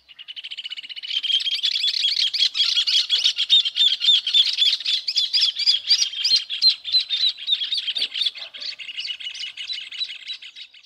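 Rufous Hornero giving a loud, fast run of shrill notes that rattle on for several seconds.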